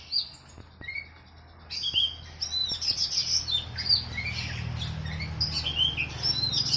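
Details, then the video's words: Training song for a caged oriental magpie-robin, paired with sooty-headed bulbul: sparse high notes at first, then continuous rapid chirping and whistled phrases above a steady low hum. "KACER VS KUTILANG || MASTERAN 2 MENIT LANGSUNG NYAUTTT..."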